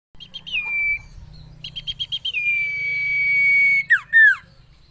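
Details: Common iora song used as a training recording for cage birds: a run of quick repeated short notes, then a long steady high whistle held about a second and a half, closing with two sharply falling slurred notes.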